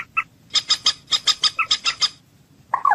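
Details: Common moorhen, hunting sound: a fast run of about ten sharp, harsh kek notes in under two seconds, ending in a short lower, grating croak after a brief pause.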